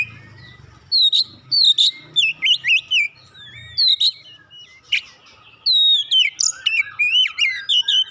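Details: Oriental magpie-robin singing to rouse a lazy bird into steady song: quick bursts of high, sharp whistled notes, some twisting up and down, grouped in clusters with brief gaps. A low murmur is faintly audible early on.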